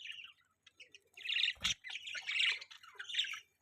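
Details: Chattering budgerigars give a dense run of scratchy warbled chirps, interrupted once by a short low thud.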